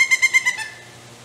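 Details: Young pileated woodpeckers begging to be fed in their nest cavity in forest, Eastern Ontario, Canada, June 2019; four or five nasal, harmonic notes in quick succession, then fading to a quiet background.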